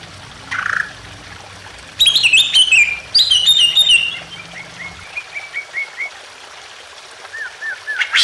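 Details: Emotional greater green leafbird song meant to set off silent leafbirds: a brief harsh note, then a dense burst of sharp whistles and trills, followed by a falling series of short slurred whistles repeated steadily.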